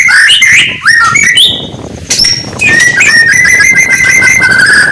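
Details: Morning song of an oriental magpie-robin (murai batu), meant to provoke rival birds; varied whistled phrases and quick slurred notes, then a long steady warbling whistle.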